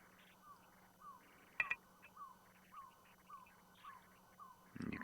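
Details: African barred owlet, possibly female, calling in the background during a morning game drive on 28 April 2020 at Ngala Private Game Reserve, South Africa: a steady run of soft, downslurred notes, about two per second, with a few quiet clicks and bumps.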